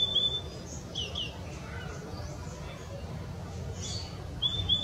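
Purple-throated euphonia giving thin, high whistled notes at the start and end, with softer twittering between, over a low background rumble.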